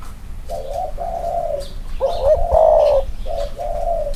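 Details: Spotted dove, one of two males caged and compared: mellow drawn-out coos followed by a louder wavering double note and two closing coos, with faint bird chirps behind.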